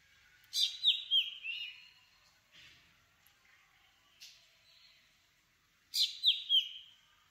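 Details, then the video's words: Black drongo calls: sharp groups of three bright, falling whistles with a buzzy edge, about five seconds apart, a few softer single notes between. "Black Drongo Song ! Black Drongo Call ! Black Drongo Sound ! Black Drongo Vocals ! Voice ! Singing"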